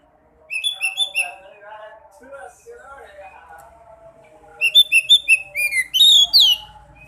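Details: Sekoci song for luring caged birds to sing: bursts of sharp whistled notes, a softer warbling middle section, then a rapid series of loud repeated whistles and slurred notes.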